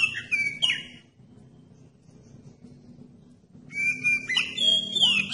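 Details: Oriental magpie-robin song meant to trigger other magpie-robins to sing: brief whistled notes with a drop, a pause of over two seconds, then a busy run of varied whistles and sweeping slides.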